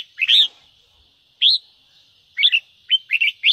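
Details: Ché-style song of a red-whiskered bulbul, meant to spur caged birds into singing: clear, sharply rising whistled notes in short phrases, about one per second, with a quicker run of notes at the end.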